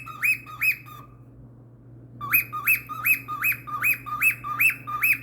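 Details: Cockatiel (Nymphicus hollandicus), call.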